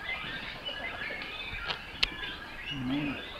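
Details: Breeding colony of great cormorants nesting in trees at Naardermeer, Het Gooi, Netherlands, where chicks are fed by regurgitation from both parents; thin overlapping squeals and chatter from many birds, a sharp click midway, then a short low guttural croak near the end.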